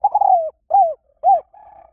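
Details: Cooing of a spotted dove used as a lure: a long falling coo, then two short arched coos and a softer trailing note, mellow and low-pitched against a clean background.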